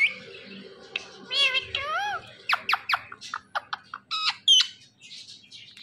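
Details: Indian ringneck parakeet vocalizing indoors. Wavering, speech-like squawks and harsh clicks run quickly one after another, ending in shrill high chirps. A faint low room hum sits underneath.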